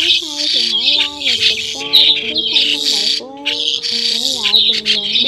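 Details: Migrating white-headed starlings recorded in October 2020 in Vietnam as a net-trapping lure: dense harsh squawks and chattering bursts, loud and continuous, over steady sliding low tonal notes that shift pitch every second or so.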